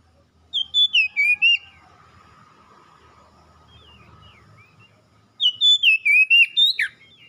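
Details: Oriental magpie-robin song used to make a cage bird respond and sing: two bursts of loud, clear whistled notes sliding down in pitch, about six notes each, separated by a quiet gap with faint background hum.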